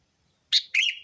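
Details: Lure call of the sooty-headed bulbul, played to draw in other bulbuls: two quick harsh chirps, the second longer and slurred with a buzzy tail, in a quiet background.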